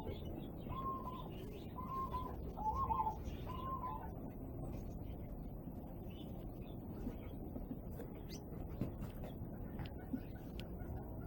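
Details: Peaceful Dove in a garden aviary with finches and quails, giving four short, soft, mid-pitched coos about a second apart, over a steady low rumble with faint twittering from other birds.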